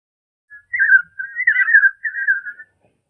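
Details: European robin singing, slowed to half speed so its high notes and modulations stand out: one warbling phrase of about two seconds, with quick pitch wobbles and short breaks, against a silent background.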